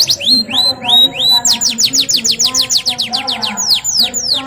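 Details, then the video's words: Canary singing, a few long whistled notes followed by a fast rolling series of sweeping downslurred notes, about three per second, set against background music. "KENARI GACOR NGEROL NEMBAK | CANARY SINGING"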